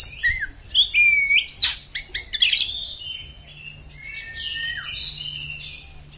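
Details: Oriental magpie-robin (kacer) giving a harsh song: quick whistled slurs and sharp chirps at first, then softer drawn-out whistles and buzzy notes, over a faint low hum.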